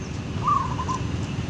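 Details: A caged zebra dove (Javanese perkutut), hung near its mate where the owner says it coos more, gives a soft, brief run of cooing notes in the middle range, fading after about half a second, over a low background rumble.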